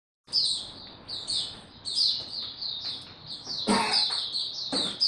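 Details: Oriental white-eye singing slowly and easily: high, thin, chirpy warbled phrases repeated in short bursts, with a brief sharp click near the end over faint background noise.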